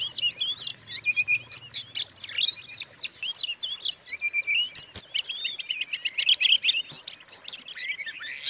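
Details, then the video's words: Provocation song of an Oriental magpie-robin for rousing other magpie-robins; a continuous rush of shrill whistles, slurred glides and rattling chatter, highly varied and loud. "suara kacer buat pancingan kacer lain emosi"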